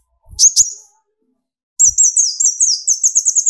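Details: Sunbird song used to provoke singing in other birds: two brief high chips, a pause, then a fast run of thin, twittering high notes rising and falling in quick succession until the end.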